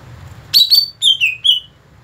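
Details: Greater green leafbird, natural song: after a moment of quiet, a short phrase of clear, loud whistled notes, a level high note, then two downslurred whistles, each with faint higher overtones.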